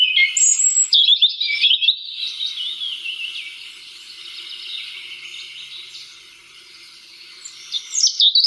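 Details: European robin in full song, recorded by the RSPB: bright high whistles and quick trills opening loudly, then a long, softer, tumbling warble before sharp phrases return at the end.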